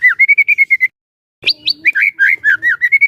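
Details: White-rumped shama song played as a trainer to make other shamas sing; a quick run of short whistled notes, a pause, then high upslurred notes and looping warbled whistles.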